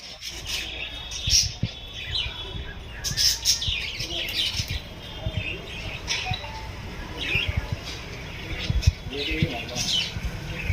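Budgerigars chatter with quick, scratchy chirps and high warbling notes over a steady low rumble.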